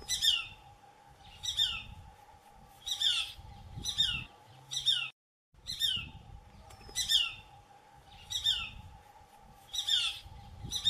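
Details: Shikra (Accipiter badius) at a farm in Kalwar, Jaipur, giving loud, sharp, squealing two-part calls about every one and a half seconds, with a steady low hum beneath.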